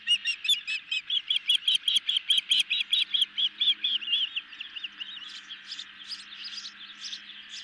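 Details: Ospreys at a nest cam in the evening while a medium-sized fish is brought and fed on: rapid series of high, clipped whistled chirps, about two per second, loud at first then fading into softer, rising notes.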